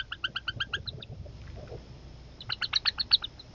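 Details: Northern Harrier family at feeding time, the growing young competing for a meal dropped by the mother. A quick run of sharp, stacked notes, a short lull, then a louder fast burst of squealing notes.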